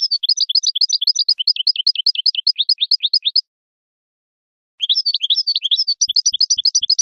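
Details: European goldfinch, kept for teaching young birds to sing, delivering rapid twittering phrases of bright rising-falling notes, about two and a half per second; a pause of over a second, then the trilling resumes with faint low ticks beneath.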